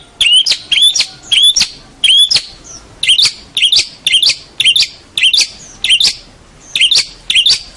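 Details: Local champion long-tailed shrike repeating short phrases about twice a second, each a sharp click joined to a bright whistled note that often rises, with a few harsher notes among them.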